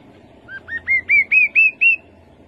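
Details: Rufous-capped babbler singing a series of seven clear piping whistles, each slightly higher than the last, spaced about a quarter second apart and growing louder, over a quiet background.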